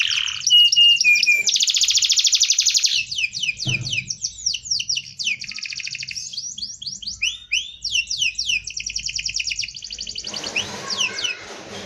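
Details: Canary singing a dense rolling song used for tutoring other birds. It gives rapid high trills and rolls, then a run of quick repeated rising and falling notes. Near the end it changes into a buzzy rattle.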